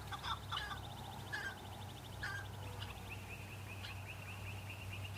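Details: Male chukar partridge in Kurdistan during the breeding season, calling in answer to rival males while displaying and fighting to attract females: harsh, clucking chuck notes in short bursts with a fast ticking series, over a steady low mechanical hum.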